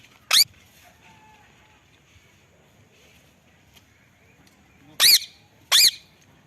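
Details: Indian ringneck parrots: three loud, harsh screeches, one near the start and two close together after a long quiet gap, with faint human voices in the background.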